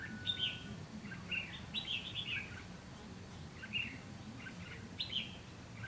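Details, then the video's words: Decoy red-whiskered bulbul luring wild birds at a trap, recorded 7 June 2016; bright, slurred whistled phrases repeated every second or so, separated by short pauses, over steady low outdoor noise. "Bẫy chào mào ngày 7/6/2016 mồi ngộ không"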